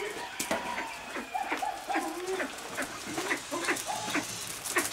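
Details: Temminck's tragopan at a pheasant nursery gives short, nasal clucking and bleating notes, several per second and partly overlapping, over a steady hiss of background noise.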